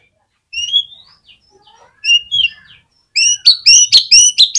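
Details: Lure song of an Oriental magpie-robin, played to get other magpie-robins singing: paired whistled phrases sweeping upward with pauses between, then a fast run of loud ringing notes repeated about twice per second.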